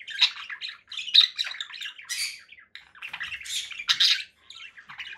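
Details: Conure parakeet with busy raspy chatter and several piercing squawks standing out, notes coming thick and fast.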